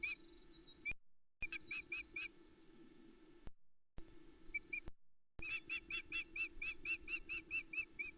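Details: Excited squeaking of Osprey chicks during an early breakfast of half a trout on a misty Loch Arkaig nest, June 2020; rapid series of high, bright squeaks in clusters, continuing in a long run near the end, with low background hum.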